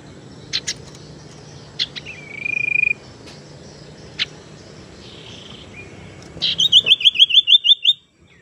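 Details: Lure sound of a tailorbird, meant to attract birds and coax quiet ones into singing: scattered sharp clicks and a brief buzzy trill, then a fast run of about ten high chirping notes near the end.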